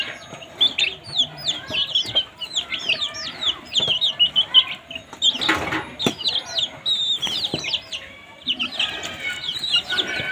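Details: Several baby chicks make noise while feeding: dense, overlapping shrill peeps, some downward-sweeping, with loud taps and scuffling from pecking at food.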